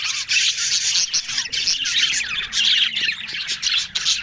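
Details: Several budgerigars on October 1 keep up a busy, overlapping warble of high chirps, squeaks and rasping notes that runs almost without a break, over a soft low rumble.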